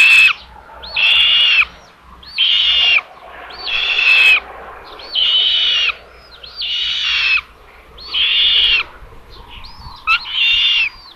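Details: Common buzzard at a nest in Tiszalök, Hungary, on 27 May, as the mother brings lunch to the third chick: harsh, rasping, high-pitched bursts, each under a second, about every second and a half, over faint hiss.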